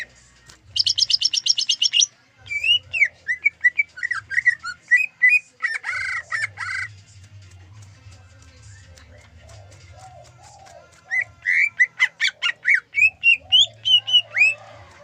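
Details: Greater green leafbird in a varied song said to include zebra dove imitation: a rapid high trill, then many repeated slurred whistles and chirps, a quieter stretch, and another run of sharp rhythmic notes, over low background hum.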